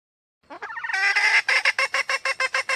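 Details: Female red junglefowl in the wild gives a few rising, squeaky notes that swell into a long harsh cackle, then breaks into quick, evenly spaced clucks.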